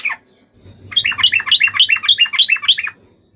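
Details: After a brief high note and a quiet gap, a yellow-vented bulbul bursts into an aggressive fighting song used to make other birds reply: a dense two-second string of bubbly, slurred chirps, then silence.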